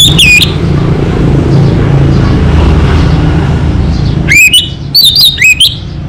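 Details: Local Orange-headed thrush singing loud, high whistled phrases that rise and fall, with rapid warbled notes at the end, all over a constant low rumbling background noise.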